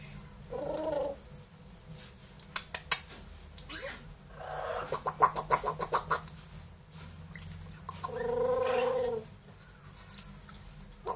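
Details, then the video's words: Indoor pair of pet parrots, a two-year-old grey parrot and a one-year-old Amazon, chattering: nasal speech-like phrases broken by bursts of rapid clicking and a long wavering call near the end. "quelques mot et bruitage des perroquets"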